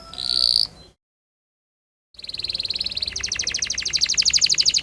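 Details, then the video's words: Canary song used as a model for young canaries learning to sing: a brief high note, a gap of silence, then a long rapid rolling trill that grows louder, over a background hiss. "Burung kenari gacor panjang Cuit Cuit ngerol Pancingan Kenari Paud belajar bunyi"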